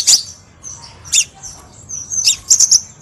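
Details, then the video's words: Crimson sunbird song played as a lure to train cage birds; short, very high chirps and a quick twittering run of notes near the end, spaced by brief silences. "PIKAT KOLIBRI SEPAH RAJA SUARA PANCINGAN"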